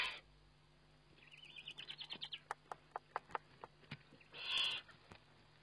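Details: Eurasian eagle-owl filmed by webcam during feeding on 29 May 2011: a high, quavering whistled trill rises slightly, then a series of sharp clicks follows before one loud rasping hiss.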